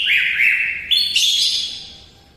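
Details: Loud, continuous song of a greater green leafbird: a rich warbled whistle that jumps abruptly higher midway, then fades.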